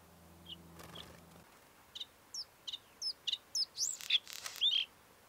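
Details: Northern Bluethroat, the rufous-spotted form, in the Karkonosze mountains of Poland, singing: a series of short high notes that repeat and speed up, then richer rising and falling whistled phrases at the end.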